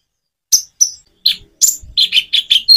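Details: Common iora song, recorded with natural pauses as a prompt for other birds: a few separate bright chirps, then a quick run of five or six lower, slurred whistled notes.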